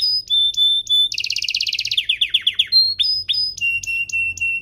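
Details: Canary song meant for tutoring young canaries and coaxing them to sing; steady whistled tones broken by fast rattling trills and quick descending chirps, all high-pitched and continuous.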